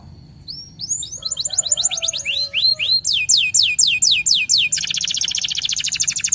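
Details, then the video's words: Local canary in strong song, recorded as a training lure for other canaries: curved whistled notes speed up into a steady run of downward sweeps, then switch to a long, very fast buzzy rattle. "PANCINGAN KENARI LOKAL GACOR"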